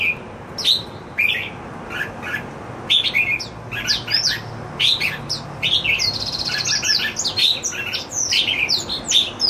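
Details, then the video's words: Pet red-whiskered bulbul kept indoors, singing happily: a lively run of short whistled and chirping phrases, bright notes rising and falling, with brief pauses between bursts and a faint low hum behind. "My Jambul happily singing ~ 夜莺高歌欢唱"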